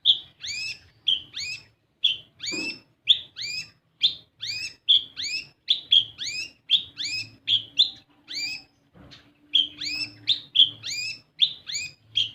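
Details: Olive-backed sunbird, known locally as kolibri ninja, singing as a lure to make young untrained birds sing. Loud, high chirps arc upward and fall away in a steady stream, with one brief soft thump midway and a faint background hum.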